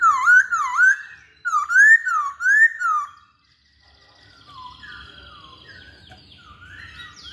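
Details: Masked laughingthrush whistling loudly in swooping, rolling phrases for three seconds, followed by softer distant whistled notes.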